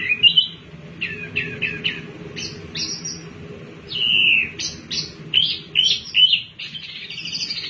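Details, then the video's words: Tailorbird song, used as a lure to get other birds singing: rapid, high, chirping and slurred whistled notes in quick bursts, some rising sharply, over a faint low hum. "Wambi Mini Gacor Pancingan Burung Bahan Cepat Bunyi dan Ikut Gacor"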